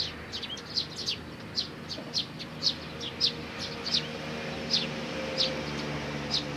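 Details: Eurasian tree sparrow chicks with their parents, recorded 11 May 2019, giving short high chirps, scattered and irregular, several per second at times, over a low steady background hum.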